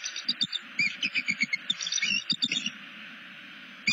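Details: Bald eagle on a nest camera in southwest Florida, calling to another eagle while tail-stretching and looking around. A rapid run of high, thin chirping notes falls silent after about three seconds, then one more note follows.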